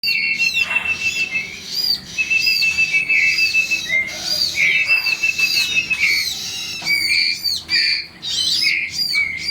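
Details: Baby bar-winged prinias being fed, giving rapid, high, harmonic-rich chirps repeated in bursts, with a steady thin whistle running underneath much of the time.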